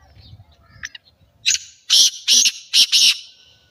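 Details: Black francolin call: a sharp opening note, then four loud, harsh, grating syllables in quick succession, each rasping and buzzy. Faint low rumbling and a few distant chirps precede it.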